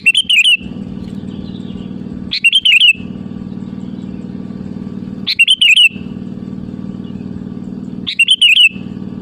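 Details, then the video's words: Lure recording of a sooty-headed bulbul calling rivals: four short bubbly whistled phrases, roughly every three seconds, each with a faint trailing note, above a steady low mechanical drone. "SUARA ASLI BURUNG KUTILANG GACOR MEMANGGIL LAWAN AMPUH UNTUK PANCINGAN BIKIN LAWAN LANGSUNG NYAUT"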